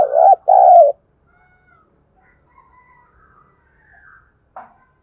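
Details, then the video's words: Decoy spotted dove cooing to excite and lure wild doves: two quick, low, warbling coo notes open, then faint soft murmurs and one short burst near the end. "Tiếng chim cu gáy kích bổi nhanh nổi, Tiếng cu gáy mồi thúc luyện bổi"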